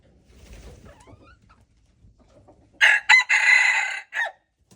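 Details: Red junglefowl rooster recorded February 26, 2025: after a quiet stretch with faint low rumbling, a loud harsh crow bursts out, a short note, then a long hoarse sustained phrase and a brief clipped ending.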